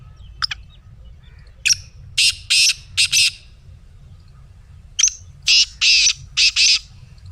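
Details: Calling black francolin, meant to set a pet bird calling: two rasping phrases about three seconds apart, each opening with a thin sharp note and running into four harsh buzzy bursts.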